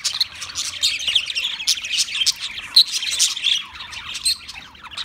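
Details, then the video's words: Budgerigar warbling chatter, steady run of high rasping chirps and whistled notes blending into a continuous busy twitter, with one sharp louder squeak midway. "Beautiful Budgie Sounds"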